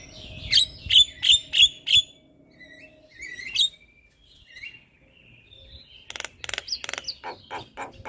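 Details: Javan myna in the morning: five bright ringing chips in quick succession, a quiet stretch with soft whistles, then a burst of harsh raspy chatter.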